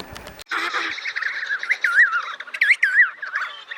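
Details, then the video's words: An emperor penguin gives a long, wavering warble that quickly rises and falls in pitch over about three seconds, after a brief rough burst of noise. "Various Moments of Penguins Making Sounds"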